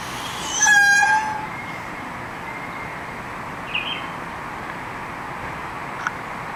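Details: A male Indian peafowl calling to draw females at a lek: one loud, nasal, trumpet-like honk lasting under a second, then only a few faint distant chirps over a steady background hiss.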